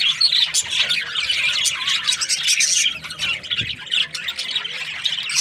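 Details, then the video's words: Budgerigar breeding pairs chirp and warble in a lively chorus, bursts of sharp high notes rising and falling in loudness, with squawky calls breaking through now and then. "Budgies parrot chirping sounds | breeding pairs"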